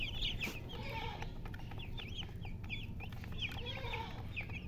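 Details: Chicks peep with a hen nearby: clusters of sharp high cheeps, a brief clucking note from the hen, and a low hum throughout.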